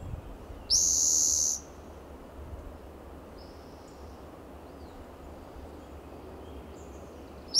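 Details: Spotted Towhee sings from a shaded coast live oak in Del Monte Forest, California, June morning; one loud buzzy trill near the start, followed by several seconds of quiet with faint thin high notes of other birds.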